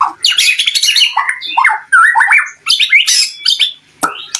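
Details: Challenge song of a white-rumped shama, aimed at making other shamas sing back: dense, varied bursts of squeaky whistles, buzzy trills and harsh chips in short rapid phrases separated by brief pauses.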